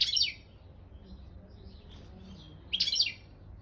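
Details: European goldfinch of the Balkan subspecies Carduelis carduelis balcanica, entered in an online world singing championship run by a Serbian breeding association: two short bursts of bright, high twittering separated by a quiet pause of over two seconds.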